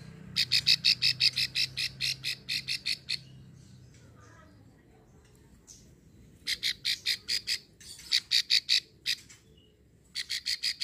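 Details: Female plain prinia from Ulujami, Central Java, giving its long grating call that lures males: long trains of harsh, buzzy clicks, roughly three per second, in several bouts separated by short quiet gaps, over low background rumble.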